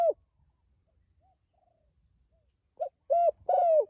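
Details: Spotted dove calling its companions. The end of one coo is followed by near silence, then a new phrase begins: a short note, a clear coo and a long descending coo. A faint steady high whine is present.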